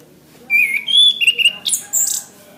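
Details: Anis kembang, the orange-headed thrush, singing for a caged-bird training recording: a fast, varied phrase of bright whistles and slurred notes jumping between middle and very high pitch, ending in thin high squeaky notes.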